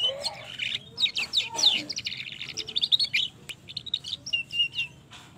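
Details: Young canary delivering a long roll to set other canaries singing: a low slurred note opens into sustained rapid trilling of high chirps that continues almost without break, with soft low hum behind.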